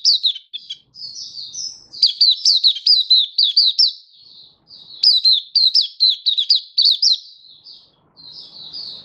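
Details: Oriental white-eye singing in 'buka sing' display style, recorded 24 February 2023: loud bursts of quick, high, downslurred chirps alternating with brief softer warbled phrases, little background sound.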